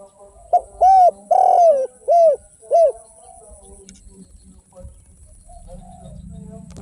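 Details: Single phrase from a spotted dove (derkuku) singing kuk 1 and tanpa kuk style: four soft coos, the second long and falling, followed by near silence and low background murmur.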